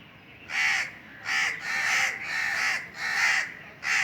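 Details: On a very hot summer day, Indian crows call from the top of a tree: six loud, grating caws, each drawn out, following one another with brief pauses.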